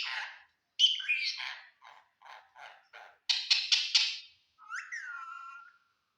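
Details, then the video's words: Talking green parrot, eating, in an Assamese household setting: varied speech-like chattering syllables, a run of short buzzy notes, a bright harsh burst, then a drawn-out whistle that dips and levels off. "green parrot🦜 talking"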